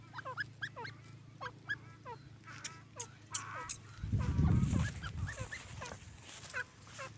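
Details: Purebred partridge giving quick, downward-sliding call notes, about three per second, with a loud low rumbling thump partway through and a constant background hum.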